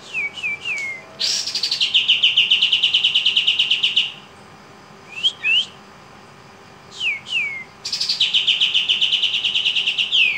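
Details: Javan kingfisher calling vigorously: a few sharp downslurred whistles, then a long rapid rattling trill of about four seconds. More descending whistled notes follow, then a second fast trill near the end.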